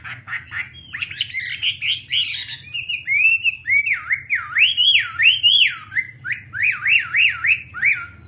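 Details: Chinese hwamei song opening with rapid, jumbled chattering notes, then settling into a string of fluid whistled swoops, each rising and falling steeply, repeated about twice a second; steady low hum in the background.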